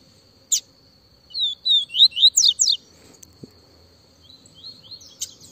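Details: Yellow-bellied seedeater, the coleiro baiano, singing in the viviti style, described as very lively: one sharp note, then a rapid run of about six high, slurred whistled notes over a second and a half, over a steady thin high whine.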